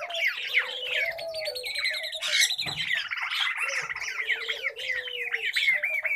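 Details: A noisy flock of pet common babblers keeps up a steady squawking. Sharp falling whistles and buzzy notes mix with a lower wavering tone, and a brief scuffling thump comes midway.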